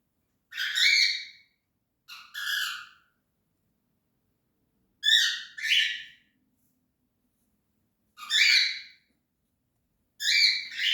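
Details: Cockatiel giving harsh, rasping screeches with stacked harmonics, mostly in pairs of short bursts about two seconds apart, six calls across eleven seconds, in an otherwise quiet room.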